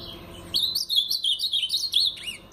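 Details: Paraná-style song of a brown-plumaged Blue-black grosbeak: after a quiet start, a lively run of about a dozen rapid, up-and-down whistled notes over under two seconds, ending in a downward slur.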